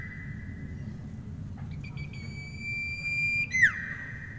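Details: Common iora, known locally as sirpu or cipoh, singing: a long, level whistled note, then a higher sustained pure whistle that ends in a quick falling slur, over a steady low background hum.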